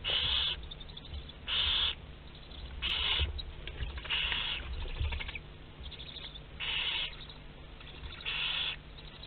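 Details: Nest-box barn owls at Théding, 27 April 2021, while their live meal wanders the box. Harsh breathy screeches repeat about every one to two seconds, some overlapping, over rustling and scraping.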